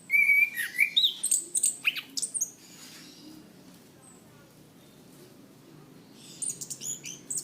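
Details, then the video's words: Chestnut-capped thrush, kept as a songbird, delivering a loud 'gacor ngeplong' training song: a rapid string of high whistled and chipped phrases for about two and a half seconds, a pause, then another short burst. "Masteran Anis Kembang | Punglor Gacor Ngeplong Mantap"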